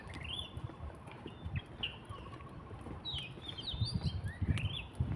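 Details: Wild birds singing in Gushan Museum Art Park, enjoyed as pleasant to hear: scattered high whistled notes, some rising and sliding, from more than one bird over low rumbling background noise.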